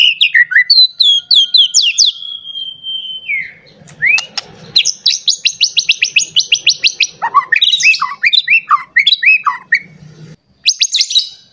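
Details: White-rumped shama in an agitated state seeking a rival, singing a rich sequence of whistled slurs, a sustained tone, rapid high chirp trills and swooping downward notes, ending in a dense high burst; faint low hum underneath.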